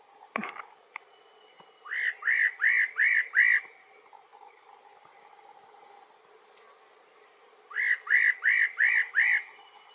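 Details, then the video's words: A Spot-breasted Parrotbill gives two bursts of five loud, slurred, evenly paced whistled notes, each burst under two seconds, after a sharp click at the start. "El picoloro pechipinto"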